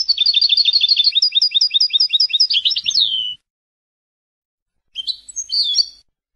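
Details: Song of a European goldfinch from Palestine: a rapid, rhythmic high trill that slows into spaced double notes, closes with a buzzy downslurred flourish, and after a pause gives a few short twittering notes.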